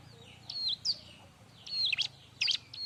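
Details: Bar-winged prinia in busy tutor song for other birds: a few high, falling whistled notes and short harsh clusters over about three seconds, with background hiss.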